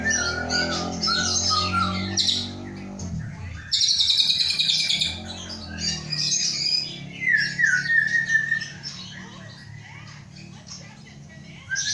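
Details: Captive Aceh white-rumped shama being prepared for breeding sings bursts of harsh, buzzy chatter and a clear, falling whistled phrase, with a steady low hum underneath.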